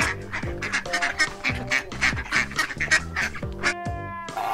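A duck quacks in a quick run of harsh, nasal notes, several to the second, over steady background music.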